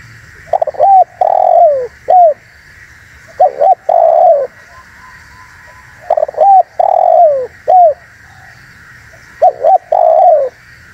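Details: Spotted dove calling for luring and provoking wild doves, four phrases each of two short notes, a long falling coo and a short final note, spaced about two to three seconds apart over a steady hum.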